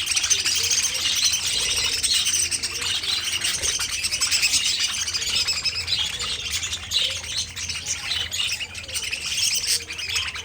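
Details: Budgerigar colony in an aviary, a flock of pet parakeets chattering: continuous high warbled twittering from many birds at once, steady and unbroken for the whole stretch.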